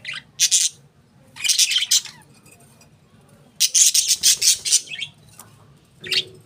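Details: Pet budgerigars giving bright, scratchy high chirps in distinct bursts separated by short pauses, over a faint low hum.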